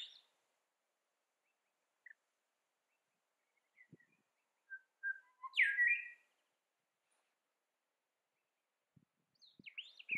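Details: A female grey shrikethrush (Colluricincla harmonica) chasing off a competitor gives scattered short whistled notes, then a louder, harsher falling burst, and a few more sharp notes near the end.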